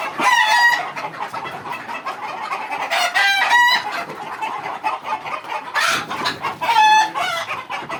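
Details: Egyptian Fayoumi chickens, a flock kept at a farm in Bakshiganj, Jamalpur, Bangladesh, giving loud overlapping squawks and harsh drawn-out cackles. Bursts peak near 0.3, 3 and 7 seconds over a steady background of clucking from many birds.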